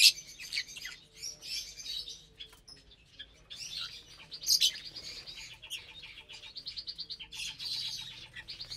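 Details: Lovebirds feeding together on a Saturday morning, 30 April 2022, on corn, kale, sprouts and a millet seed mix, keep up a dense, shrill chatter of overlapping chirps, with a run of quick repeated notes near the end.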